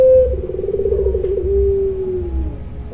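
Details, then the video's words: Puter pelung dove kept at a farm in Cilacap, Central Java, delivering a short level note, a fast rippling trill and a long softly falling hum, over continuous low-pitched background rumble. "puter pelung nangiss"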